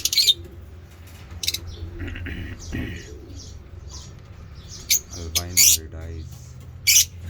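Lovebirds give sharp, shrill screeching chirps in short bursts spaced a second or more apart, over a soft murmur and faint voice-like sounds.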